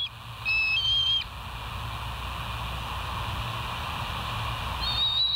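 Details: Bald eagles at West End, live nature cam, 08/04/2023 at 05:22: a brief pair of high, piercing whistles early on, then steady low hum, with another short whistled note at the very end.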